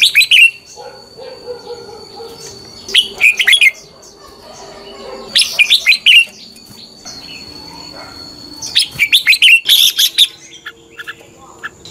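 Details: Red-whiskered bulbul singing its competitive fighting song, a lure for training other birds to sing in the morning: four bursts of brisk chirped phrases, the last ones longer with rapid repeated notes, spaced a few seconds apart.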